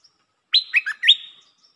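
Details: Single song phrase of a Red-whiskered bulbul: a sharp upswept whistle, two lower liquid notes, then a bright note trailing into a thin sustained whistle, heard alone in quiet surroundings.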